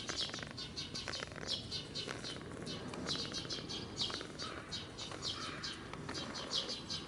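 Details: Eurasian tree sparrow parent hopping between a block wall and outdoor units, chattering noisily to distract a natural enemy from its fledgling. Dense, rapid, nearly continuous high chirping with faint flutters beneath.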